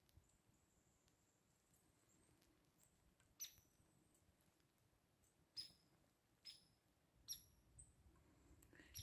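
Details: Hairy Woodpecker up in a tree above a homestead feeder on a January winter day at minus 19 °C, chatty, giving sharp, high, clipped "jeep" or "peek" notes, about six at irregular intervals over quiet background hiss.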